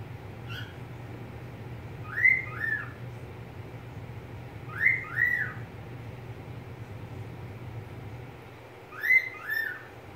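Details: Pet budgerigar calling: three pairs of arched whistled notes, each pair a quick rising-then-falling double slur, spaced several seconds apart, with a faint short note near the start over a steady low indoor hum.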